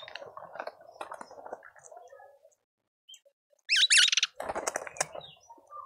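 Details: Speckled mousebirds at a feeder in a suburban garden in Pretoria, South Africa: a loud, harsh, wavering burst of calls after a quieter stretch, with low murmuring bird sounds and other chirps beneath.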